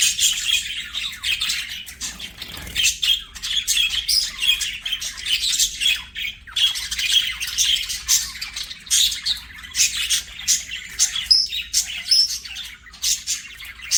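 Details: Pet budgerigars singing and playing, a dense run of warbling chatter with squawks and chirps that goes on through the whole stretch, with short pauses here and there.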